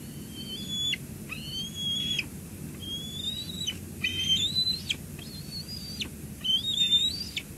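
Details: Bald eagles at a Two Harbors nest on 17 July 2022, around a lunch delivery to the eaglet. Sharp, high whistled notes come about every second, each with a steady tone that then drops away steeply, over a soft rushing background.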